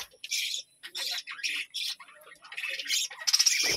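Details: Budgerigars in a small colony at a village home give short bursts of high, scratchy chirping, several bursts in quick succession with brief gaps, ending in a denser run of chatter.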